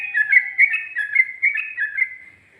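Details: Sooty-headed bulbul singing in the ropel and ngikluk styles: a fast, continuous chattering warble of bright, slurred notes held in one narrow band, with rhythmic swells roughly twice a second before fading out.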